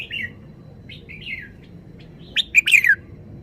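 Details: Red-whiskered bulbul giving soft warbled notes early on, then a loud, quick run of four or five sharp descending whistles near the end. A quiet low rumble runs throughout.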